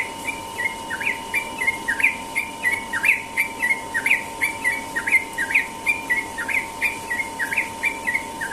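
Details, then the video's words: Sooty-headed bulbul in the morning, singing in the fast ropel style: an unbroken stream of bright, rising and falling whistled chirps, about two per second, over a faint steady hum. "burung trucukan ropel pagi"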